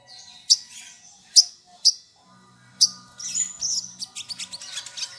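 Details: Sharp, very high chips from an olive-backed sunbird (sogok ontong) used to provoke rival birds, spaced roughly every half to one second, then a faster twittering run; a faint steady tonal hum runs underneath.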